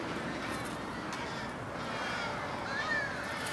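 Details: American crows gather before roosting on a January evening in Charleston, Coles County, Illinois, USA, 16 January 2015. Soft background cawing is followed by a clearer pair of rising-falling caws toward the end.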